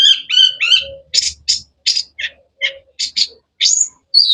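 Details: Long-tailed shrike, known locally as cendet, in varied song: ringing whistled notes first, then quick harsh chirps and short buzzy calls, ending on high clear whistles.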